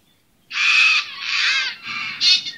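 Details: Loud, grating screech from a Sulphur-crested cockatoo at St Lukes Church, Gray, Palmerston, near Darwin, Australia, three harsh drawn-out rasping phrases run together over about two seconds.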